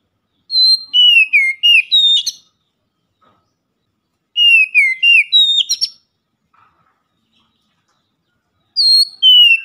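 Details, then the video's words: Oriental magpie-robin (kacer) giving a loud, chatty daily lure song: phrases roughly every four seconds, each a run of bright falling whistles ending in a harsh buzzy burst. "PANCINGAN HARIAN KACER NGEPLONG GACOR SUARA KERAS"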